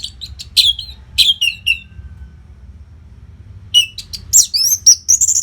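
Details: Anis merah, the orange-headed thrush, giving a nonstop masteran song used to train fighter birds: loud, sharp descending whistles, then after a pause a rapid run of varied high chirps and slurred whistles.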